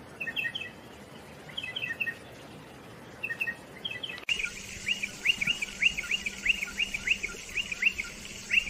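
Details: Striated pardalote calls: first, spaced groups of three short high notes every second or so; then, after an abrupt cut, a quick steady series of sharp down-slurred chips over a faint low hum.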